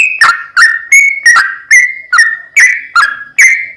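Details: Sooty-headed bulbul song, long and chatty, played as a lure to provoke another bird to sing: clear whistled notes near one pitch, each opening with a sharp click and sliding down, about nine in under four seconds.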